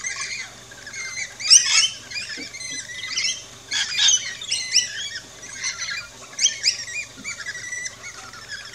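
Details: Rainbow lorikeets at a backyard feeding station in Australia, chirping and squawking: scattered shrill screeches and chattering notes throughout, with a steady low hum underneath.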